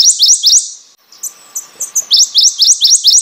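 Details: Prothonotary warbler song: loud, ringing series of rising, upslurred sweet notes repeated about twice a second, a bright burst, a softer scattered middle section, then another run of the same rising notes.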